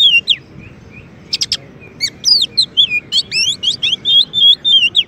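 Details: Oriental magpie-robin, a champion bird, singing as a master for training and provoking white-rumped shamas: a dense, fast series of clear looping whistles and sharp trills, roughly three or four notes per second, with brief pauses.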